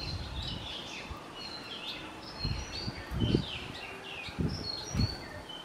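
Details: Kerala feeder with wild white-rumped munias: clustered high, thin chirps and downslurs, with soft dull knocks recurring near the end and steady background noise.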